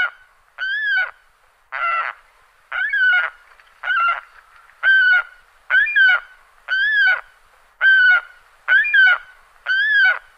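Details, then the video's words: Adult Saker falcon (Falco cherrug) gives harsh, rasping, slightly arched cries, about one each second, ten in a row, against a quiet background. "Балобан Falco cherrug Крики взрослой особи"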